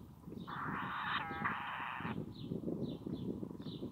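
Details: Sacred kingfisher (kotare) chicks begging from inside a mud nest in a fallen tree on a beach at South Titirangi, hidden from view; a long harsh rasping burst, then softer short notes, over a low rumble of background noise.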